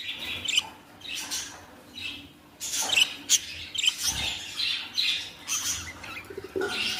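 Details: Young budgerigars kept as pets giving repeated high chirps and short squeaky calls in bursts about every half second to second, with faint wing flutters and a steady low hum in the background.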